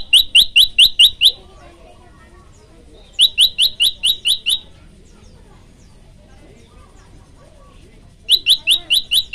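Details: Prenjak lumut, or olive-backed tailorbird, in a vigorous varied song recording: three separate bursts of about six rapid, sharp high chirps each, with pauses of roughly two seconds and faint twittering between.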